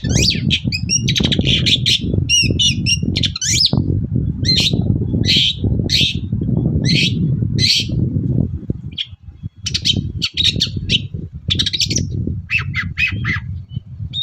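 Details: Long-tailed shrike singing energetically in the morning as a lure to make other shrikes respond; long run of fast varied chirps, trills and scratchy notes, later slowing to separate sharp calls, over heavy low rumble.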